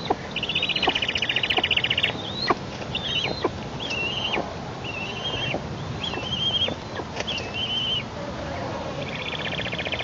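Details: Eastern imperial eagle chicks in a nest in Tatarstan, Russia, 9 July 2021, giving thin, high, slightly wavering calls in quick bursts, some drawn into short buzzy trills, over soft rustling, as a parent brings a twig rather than food.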